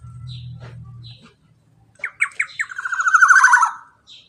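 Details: Black-naped oriole, a golden oriole recording used as a prompt for non-singing birds: after a low hum and faint chirps, a few short rasping notes lead into a long, harsh, nasal call that slides gently downward, with a soft high chirp at the end.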